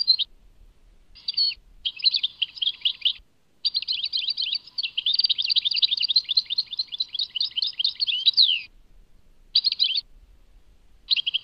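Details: Song of the European goldfinch, Tadmait: short twittering bursts build into a long, continuous, tumbling run of fast high chirps and trills that ends in a falling slur, followed by brief chirping fragments.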